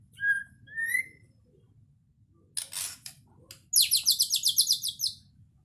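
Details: A champion white-rumped shama in 'gacor full isian' song style: clear whistled notes, one rising, then a burst of broadband rasping, ending in a fast, high, repeated trill of about a dozen notes.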